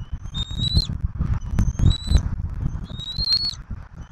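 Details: Bald eagles feeding their eaglet on a turtle at a southwest Florida nest, March 2024: three high, piping whistled phrases rising at their ends, with loud low thumps and rustling from movement in the nest.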